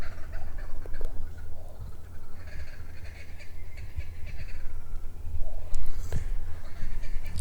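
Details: What sounds like many kookaburras cackle in a rolling, rapid chorus of harsh, rising and falling notes near a garden property in Australia, over steady wind rumble and a man talking.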